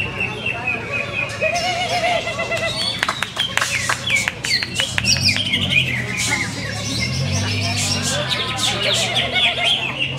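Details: Greater green leafbird, noted for many contest achievements, giving a busy high song of chirps, clicks and bending whistles, with a faint low humming voice in the background midway.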